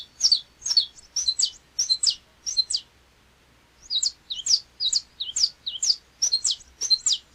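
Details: Saffron finch, canário-da-terra, from Brazil, where it occurs in states such as Minas Gerais, Mato Grosso, São Paulo, Goiás and Espírito Santo: high sharp chirped notes in quick paired phrases, a brief pause near three seconds, then more rapid strings.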